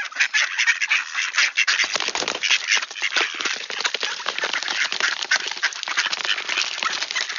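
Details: Wood ducks at Sainte-Adèle, Quebec, Canada, at 7:53 AM on 18 October 2024, 1°C and clear, calling in a dense, unbroken chorus of harsh, squealing notes overlapping throughout, with no clear pauses.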